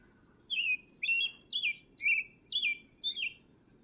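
An American robin sings six short caroling phrases, about two each second, each a clear whistled note swooping up then sliding down, over a faint low hum.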